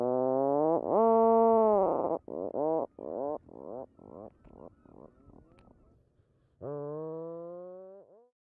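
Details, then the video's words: Atlantic puffin on its nesting colony gives low, harmonic-rich growling "arr" calls: a long drawn moan, a run of shorter groaning pulses, then another long growl, like a distant chainsaw. "Puffins are usually silent, except for when they are on the nesting colony, where they emit a low growling "arr" that sounds like someone running a chainsaw."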